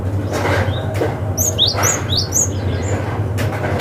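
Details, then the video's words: Wild forest cinereous tit calling to challenge rivals, used as a lure for young birds: a quick cluster of thin, high, falling chirps in the middle, with a constant low rumbling hum behind. "SUARA gelatik batu ngalas manggil lawan - cocok untuk PANCINGAN gelatik muda hutan"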